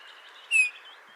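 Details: Eurasian Bullfinch giving its simple song, one soft, mournful whistled note, brief and slightly falling, over a faint hiss; bullfinches mate for life and keep close, so need no loud song.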